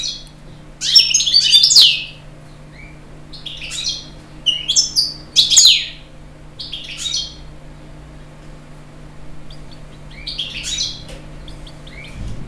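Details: European goldfinch song: scattered bursts of high, tinkling twitters and chirps, coming in clusters every couple of seconds over a faint constant low hum.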